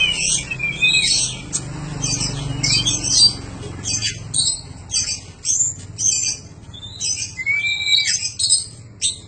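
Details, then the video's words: Oriental magpie-robin training song for cage birds, a long run of short, scratchy chattering phrases repeated about every half second, broken by a few clear slurred whistles. "Suara panjingan masteran burung kacer gacor"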